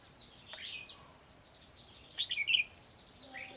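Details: Red-whiskered bulbul used as a lure bird while trapping, recorded 12 July 2020, hopping and flicking its tail. Short bright chirped and whistled notes come in a brief burst of four or five, followed by men talking nearby.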